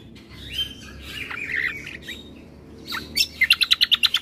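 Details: Bulbul combo song aimed at agitating birds that hear it: quiet warbled whistles at first, then a fast, even trill of about eight sharp notes.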